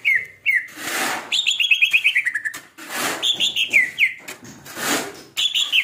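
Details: Cucak ijo, the greater green leafbird, in an overly aroused OB state, singing quick whistled phrases: short rising-falling notes, then a rapid descending trill of about ten notes, broken by loud broadband rustles.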